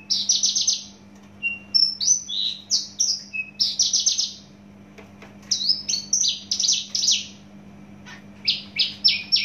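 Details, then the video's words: Song of a Javan bush lark from Java, loud and rapid: dense runs of high buzzy notes and sharp whistles, a few clipped chips between phrases, with a constant low hum beneath. "branjangan javanica asli jawa volume dan spedd edan mantap"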